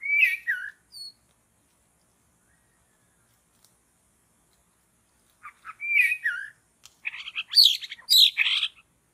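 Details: Forest white-rumped shama heard during bird trapping: a short twisting whistled phrase, several seconds of silence, the phrase repeated, then a loud tumbling run of harsh varied notes.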